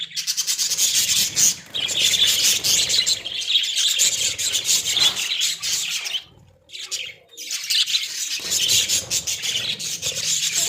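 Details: Several Australian budgies in a small cage chatter in a steady stream of high, rapid, rasping chirps and warbles, dropping briefly to near quiet midway before the busy chatter resumes.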